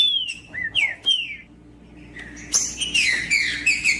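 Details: Green-winged saltator (trinca-ferro) singing macheando, meant to warm up and excite another bird: a few clear descending whistles, a pause of about a second, then a rapid burst of sliding whistled phrases.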